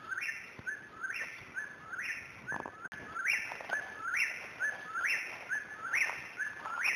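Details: Eastern whip-poor-will singing at dawn, 5:30 AM on 21 May 2012, in Pisgah National Forest, North Carolina; its loud, car-alarm-like three-part whistled phrase with a sharply rising end repeats about once per second in a steady series.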